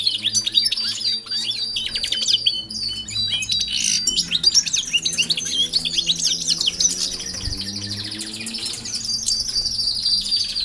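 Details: European goldfinches housed with canaries in a new aviary for exercise before breeding pairs are set up. Long, dense chorus of high twittering and trills, several birds overlapping, over a steady low hum.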